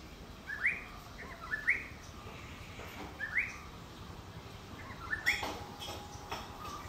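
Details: Yellow-browed bulbul in Idukki, Kerala, giving short, bright rising whistled notes, about one per second in pairs, over a steady hiss of background noise.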